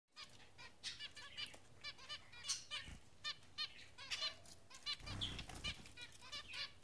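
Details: Zebra finches in the morning sun, giving many short nasal, repeated notes in busy overlapping bursts, with soft rustling and low thuds underneath.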